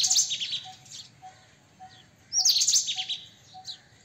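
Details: White-throated kingfisher giving two loud, grating, high chattering bursts about two and a half seconds apart, with scattered softer notes and faint evenly repeated tones behind.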